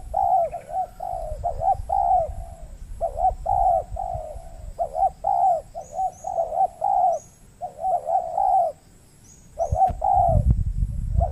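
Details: Dove trapping on peatland in the Riau Islands, Indonesia: a wild spotted dove keeps cooing at the decoy yet shows little will to fight. Soft, hollow coo notes repeat in uneven runs, followed by a low rumbling thump near the end.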